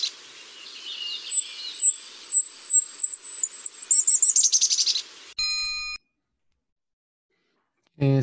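Golden-crowned Kinglet song: very high, thin notes that speed up into a rapid tumbling chatter, followed by a brief electronic tone and a snippet of speech.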